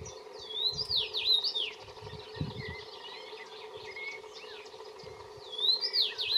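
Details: Common rosefinch, singing and preening, giving short, clear whistled phrases that slur up and down, heard at the start and again at the end, with faint other bird notes and a low hum behind.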